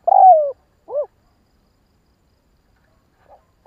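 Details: Spotted dove calling to excite other doves into calling. A long burred coo sinks in pitch, followed by a short arched note. A faint note comes after a quiet pause.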